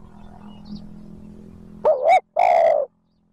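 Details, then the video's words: Spotted dove cooing to provoke wild birds into calling: after a faint low hum, a two-part wavering coo is followed by one longer, steady, hoarse coo. The phrase is heard once. "TIẾNG CHIM CU GÁY THÚC GÙ KÍCH BỔI NHANH NỔI CỰC SUNG, MỒI NGHE LÀ GÁY"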